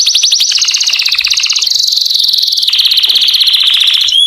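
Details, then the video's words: Canary singing to attract females for mating: fast rattling trills around high pitch, shifting through several tours, pulses repeated rapidly, ending with a short rising whistle. "The strongest canary twitter to hear and irritate females to mate"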